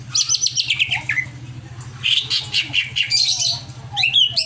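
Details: Greater green leafbird in an over-emotional, agitated state, giving a rapid jumble of high chirps and descending whistled notes in quick bursts, with a steady low mechanical hum throughout.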